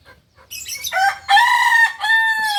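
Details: Kukuak balenggek rooster, a singing chicken from Solok, West Sumatra, giving a long crow: short notes rise into several sustained, strongly harmonic syllables that step down and trail off. The notes sound clear and ringing, with little background.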